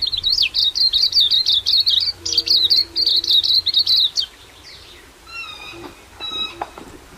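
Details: Silvereye, also called waxeye, recorded in New Zealand: a rapid run of high warbled chirps and trills for about four seconds, then a quieter stretch with a few faint thin notes and clicks.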